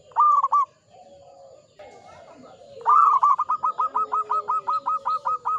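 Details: A local zebra dove sings hard in the Mataram ngepat rhythm. A short clipped phrase comes first, then after a quiet gap a long, fast run of about a dozen evenly spaced cooing notes. Softer doves coo behind.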